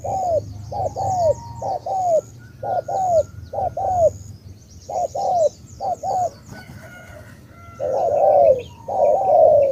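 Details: Spotted dove of the Cà Mau type coos in quick pairs of short and falling notes, then louder, longer coos near the end. Light low hum and high chirps from other birds fill the background.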